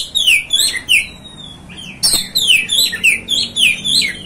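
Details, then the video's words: Oriental magpie-robin song used to lure and excite kacer: a steady run of bright downslurred whistles repeated about every third of a second, with crisp high chips between them and one sharp click midway. "MEMANCING | MEMBAKAR EMOSI KACER ANDA"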